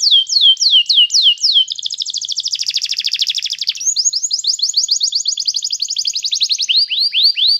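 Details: Tutor song of a canary for teaching another to sing. Quick down-sweeping whistles give way to a long buzzy, rapidly pulsed roll, then a fast trill of repeated notes, closing with slower drooping whistles.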